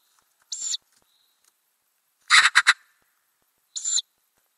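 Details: Ural owl family in a nest box with growing owlets, May 2020, camera inside under the lid: short breathy hisses spaced apart, with one louder triple-pulsed rasping burst in the middle.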